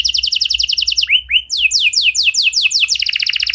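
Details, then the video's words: Canary song meant to set other canaries singing: a rapid high trill, two slurred whistles, then a series of loud downward-sweeping notes repeated quickly, ending in another fast trill. "Pancingan Suara Burung Kenari Lagu Unik! Buat Kenari Mana Saja Pasti Ikut Bunyi"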